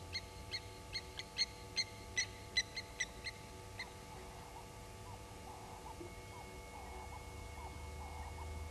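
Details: At a waterhole on Djuma Game Reserve in South Africa's Sabi Sand Wildtuin, blacksmith lapwings harass an African harrier hawk, morning, 07/18/19: a rapid run of about ten hard metallic tinks over four seconds, then quieter background.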